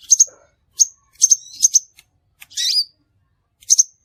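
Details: Crimson sunbird lure sound for trapping birds: paired very high sharp chips repeated in quick bursts, with one longer scratchy twittering phrase near the end of the short excerpt.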